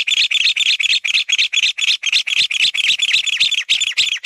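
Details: Loud, rhythmic chatter from a mountain bamboo partridge: rapid grating notes repeated about four times a second in an even, driving series, each note slightly buzzy and bouncing up and down, clean background.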